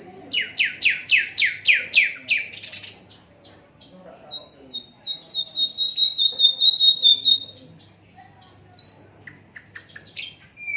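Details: Asian brown flycatcher in an unedited master recording for songbirds: fast series of eight descending chirps, a long thin steady whistle, then scattered high chirps.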